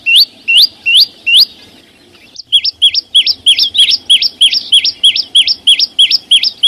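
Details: Flowerpecker first repeats rising whistles, then after a short pause switches to a quicker pattern of down-and-up looping notes, about three per second.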